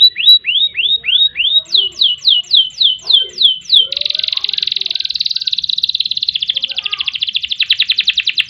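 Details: Canary singing at length, used as a tutor recording for other birds: rising-then-falling whistled sweeps repeated quickly, shifting to sharper descending notes, then a fast buzzing roll and a rapid stuttering trill to the end.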